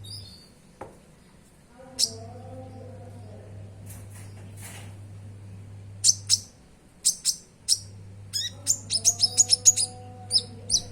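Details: Common iora (konin) song, played to prompt caged birds to sing: sparse high chirps with long gaps, building into a quick chattering series of sharp notes near the end, faint background hum.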